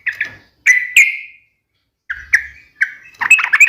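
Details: Yellow-vented bulbul's sharp fighting song, used to make other bulbuls answer. Scattered, emphatic chirps with short, trailing tails come in small clusters separated by silent gaps. The clip ends in a denser chattering flurry.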